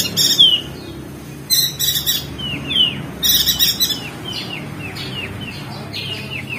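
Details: Crested white-eye (opior jambul) from Lombok, West Nusa Tenggara, in the rapid ngeriwik style. Its song comes in bursts of thin, high chirps and quick downward-slurred whistles in clusters, with softer slurred notes between them.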